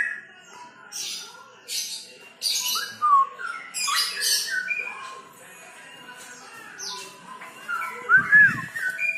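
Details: An adult pair of straw-headed bulbuls give loud, rich bubbling warbles in short bursts every second or so, mixed with clear slurred whistles; a brief low rumble near the end.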